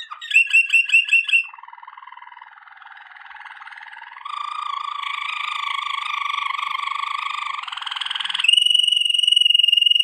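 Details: Waterslager canary singing a training song: a few quick bright notes open, then long, low, rattling rolls that step upward in pitch, ending on a steady high whistled tone.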